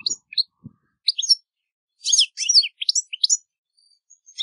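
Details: Twittering song of a European goldfinch outdoors, opening with scattered high chirps, then a dense burst of rapid, liquid, slurred notes and buzzy elements, trailing off into soft thin calls.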